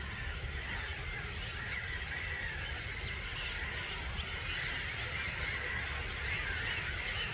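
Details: A roost of roughly 250,000 starlings departing at dawn, 05:45, 21 March 2022, at Gibraltar Point NNR. A continuous high chatter with scattered sharper whistled notes rising out of the mass, over a low background roar.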